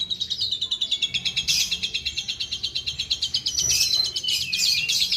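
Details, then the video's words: An Asian pied starling imitating the songs of other bird species, pouring out a fast, high, rhythmic trill with short harsh bursts partway through. "jalak suren burung cerdas meniru suara jenis burung lain"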